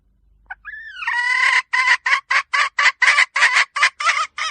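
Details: Domestic hen beginning with a brief note and a rising, drawn wail, then about ten clipped, harsh cackling notes at a steady rhythm. A faint low murmur comes at the start.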